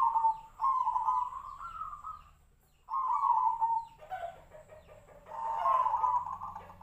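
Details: Zebra dove (perkutut), Tejoanom song style compared to the sirtu-sirpo bird: long trilled coo phrases, then a choppy, broken stretch of notes before a final long rolling coo.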